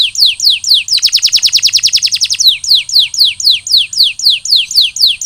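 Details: Canary, a captive bird singing after recovering from molt; a rapid series of high descending whistled notes about two per second, breaking into a fast dense roll mid-clip, then returning to the slower sweeping notes.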